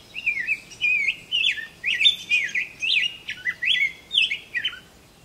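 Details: On a quiet, traffic-free morning of 11 June 2023 in Paris Township, Ohio, a Rose-breasted Grosbeak sings a rich, robin-like warble of sweet rising and falling phrases, delivered continuously for several seconds.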